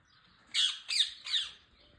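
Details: Rose-ringed parakeet giving three loud, harsh squawks in quick succession, each grating and slightly falling, separated by short pauses over a quiet background.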